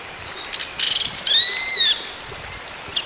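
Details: An orange-headed thrush sings, played to restart a silent bird: brief high chips, then a clear, smooth whistled note arching up and slowly falling, ending in a short chirp.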